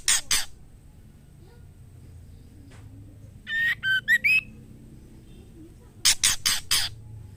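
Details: Female white-rumped shama in heat calling the male: two harsh rasps, a quiet gap, then a quick four-note whistled phrase ending on an upward slide, and finally four scratchy bursts in quick succession.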